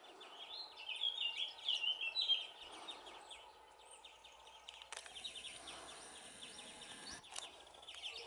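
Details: Family group of European greenfinches at Valleseco, Gran Canaria, on 23 June 2019: a busy run of short, high chirping and twittering notes, loudest in the first half, with a sharp click near the middle and steady background noise.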